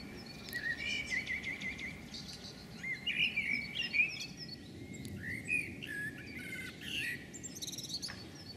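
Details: A red kite (Milvus milvus) perched on a power pylon gives drawn-out, wavering whistles, some sliding downward, several times over a few seconds; small songbirds chirp behind; Magstadt, Böblingen district, Germany.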